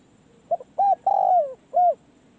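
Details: Spotted dove, a decoy bird at a forest trapping site, giving a single phrase: a faint double lead note, a clear coo, a long hoarse coo sloping downward, and a final rounded coo, with a steady thin whine behind.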